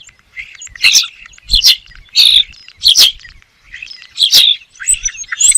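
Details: A bird giving loud, sharp chirps at irregular intervals, about one every second or so, each note a bright rasping burst; faint low thumps sound beneath.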